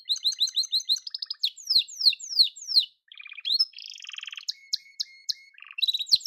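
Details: Yellow canary singing a varied, high song: quick repeated chirping notes, then a few downward-swooping slurs, a brief pause, a buzzy rolling phrase with a low flat whistle beneath, and a burst of sharp chips at the end.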